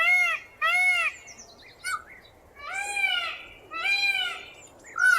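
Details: Loud Indian peafowl screeches in 8D audio: two quick harsh arched wails, brief thin squeaks, then two longer wavering wails and the start of another.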